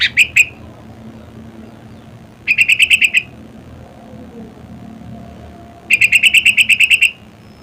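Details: Sooty-headed bulbul (kutilang), natural voice: three bursts of rapid, harsh, evenly spaced chirps, up to about ten notes per burst, separated by several seconds of quiet background murmur.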